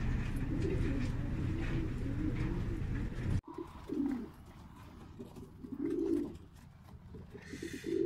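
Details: Black qatayef tumbler pigeons: muffled cooing under a rumbling hum at first, then after a sudden cut, clearer separate throaty coos with short pauses, the last one swelling louder.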